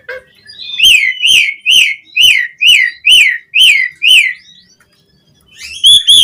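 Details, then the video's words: Asian pied starling song, recorded to train and stimulate caged starlings: eight clear whistled notes, each rising then falling, repeated about every half second, followed by a short pause and a few higher chirps. "Suara Jalak Suren Gacor Full Isian Variasi Buat MASTERAN & PANCINGAN Burung Jalak Agar Gacor Isian"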